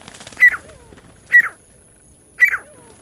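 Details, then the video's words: Partridge calling, a sound used to lure partridges for catching: three loud, harsh, downslurred notes about one second apart, then quiet, with faint hiss and a soft whistle after two of them. "एक से एक बढ़कर तीतर पकड़ने की आवाज! The sound of catching partridges is better than the other"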